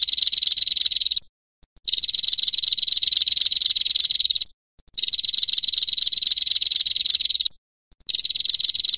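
A female prinia gives long, dry, buzzy trills, each lasting two to three seconds with short pauses between. The pitch stays high and even.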